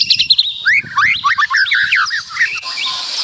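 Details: Loud, lively full-repertoire song of a white-rumped shama: rapid varied phrases of whistles, sweeping slurs and sharp chirps, rising and falling, packed densely with almost no pause.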